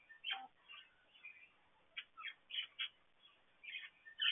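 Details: Parakeet chatter inside an aviary: quick, scratchy chirps and warbled notes in irregular bursts over a faint background hiss.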